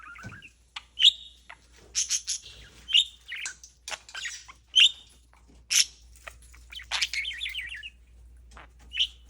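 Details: Parrot at play with irregular squeaky chirps every second or two, a buzzy wavering trill near the end, and a faint low hum throughout.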